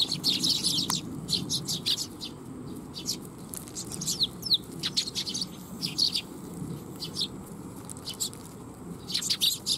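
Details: Eurasian tree sparrows at a shrine coming to be fed, July 12, 2021; a flock gives short, high chirps in scattered bursts, some overlapping, over a steady low background rumble.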